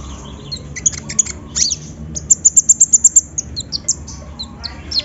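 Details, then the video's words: Sunbird song used as a lure to make a reluctant sunbird sing: very high, thin chirps and a fast run of about eight sharp, evenly spaced notes in the middle, with scattered squeaky twitters and a low background hum. "PANCINGAN KONIN SUSAH BUNYI!!"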